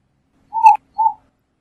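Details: Eared dove (Zenaida auriculata) song: a longer smooth cooing note with a slight swell, a brief pause, then a shorter second coo at about the same pitch, in an otherwise quiet background.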